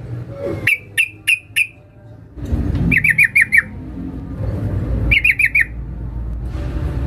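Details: Female sooty-headed bulbul calling to a male, used as a lure: four spaced sharp notes, then two quick bursts of five chirps as a broad hiss and rumble grow louder behind.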